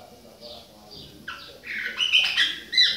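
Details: Chopi blackbird of the Bahia type, with a young bird, in autumn: soft whistles at first, then louder mixed whistled and buzzy notes rising and falling high in pitch.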